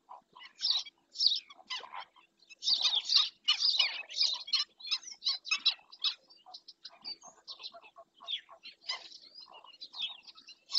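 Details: Black-winged stilt, Doñana National Park, recorded by a webcam, calls in rapid, irregular runs of sharp, shrill yapping notes that crowd together in the middle and then thin into scattered single yelps.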